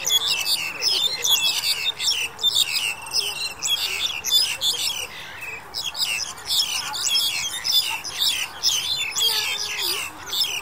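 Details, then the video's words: Several Black-collared Starlings, recorded in January 2021, give a continuous, overlapping jumble of harsh, chattering and squeaky whistled notes. "黑領椋鳥 Black-collared Starling"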